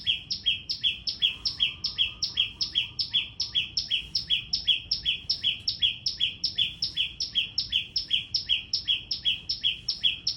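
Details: Small bird calling very loudly, a rapid, steady series of sharp two-part notes, each a high downslurred note followed by a lower one, about 158 per minute, with a faint lower chattering briefly in the background.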